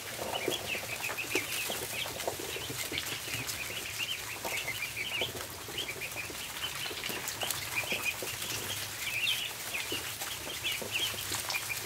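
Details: Dense, unbroken chatter of high peeps from many ducklings feeding on a barn floor, the calls overlapping into a shimmering chorus with scattered taps and rustles.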